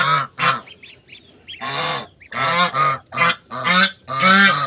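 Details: Domestic mother goose on a farm with her goslings cuddled together, giving loud, harsh, nasal honks in uneven bursts, with thin, high, upward-arched gosling peeps in the brief pause between honks.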